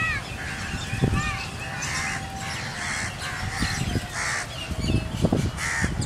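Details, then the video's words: Under a swirling migrating flock of Rosy starlings at Hamirsar lake, Bhuj, Kachchh, 18.3.2018: grating, nasal chatter notes in bursts roughly every half second, mixed with dull thumps and low background rumble. "Rosy starlings murmuration"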